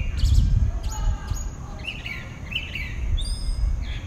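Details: Dawn song of one pale-breasted thrush in southeastern Brazil, a few short slurred whistled phrases and a high thin note, partly masked by low thumping noise and rumble.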